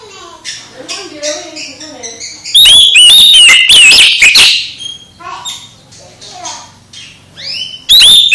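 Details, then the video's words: Oriental magpie-robin song meant to spur a quiet magpie-robin into singing again: soft scattered notes, then a loud burst of fluty whistles and rasping notes, and a final bright whistle. "Kacer MBAGONG langsung GIRAS lagi setelah dengar KICAU Kacer ini"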